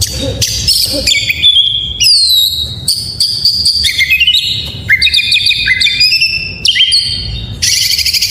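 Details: White-rumped shama singing its full song to stir other shamas into song: bright whistled notes, downward slurs and stepped rising phrases, interspersed with harsh chattering bursts, delivered in rapid succession with a soft low background noise.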